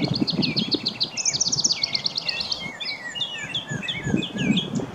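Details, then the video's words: American robin singing in a Wisconsin backyard: quick, clear whistled phrases that rise and fall, among overlapping chirps from other birds and a steady low outdoor rumble. "American Robin Song Call"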